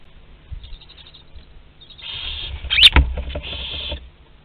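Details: Barn owls in a nest box at Théding, France, on 27 April 2021, with live prey moving inside; a long breathy hiss sustains for two seconds amid scuffling and a sharp knock.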